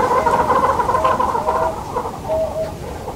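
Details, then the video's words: Southern yellow-billed hornbill in Kruger National Park giving a run of hollow, mid-pitched clucking notes, about three per second, against a faint background hiss. "Southern Yellow-billed Hornbill Bird Call"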